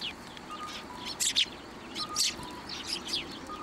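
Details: Sparrows taking food from a hand at a Tenmangu shrine, 1 January 2024: a few loud, sharp chirps in pairs, separated by quieter gaps, with a soft tonal note repeating in the background.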